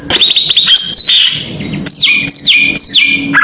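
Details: Greater green leafbird song used as a lure to excite other birds: a burst of bright, high whistles, then a series of four similar falling whistled notes repeated about every half second, loud and clear.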